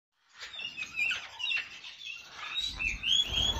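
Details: Red-fan parrot kept among exotic birds, giving a busy run of harsh, squawky chirps and short screechy notes, overlapping and irregular, with a brief pause before the sound begins and a low rumble toward the end.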